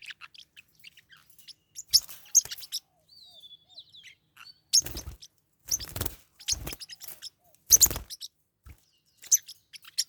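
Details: Fighting pet Forpus parrotlets give scattered high, scratchy chirps and a short wavering whistle, broken by several brief loud bursts of harsh squeaking with scuffle noise.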